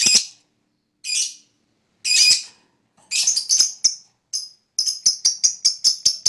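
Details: Lovebird fighter, used as a lure to make other lovebirds respond: a few harsh, high screeches, then a fast run of short, sharp, repeated chips at a steady shrill pitch.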